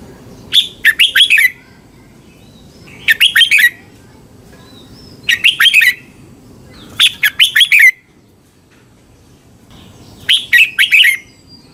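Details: Caged-bird training song of the red-whiskered bulbul from Thailand, used to rouse birds: five clear phrases of rapid bright whistles, each about a second long, spaced roughly every two and a half seconds over a quiet background.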